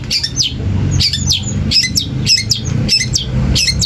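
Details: Song of a long-tailed shrike, used to make other shrikes respond: bursts of harsh, high chattering and descending squeaky notes roughly every half second, over a steady low rumble like traffic.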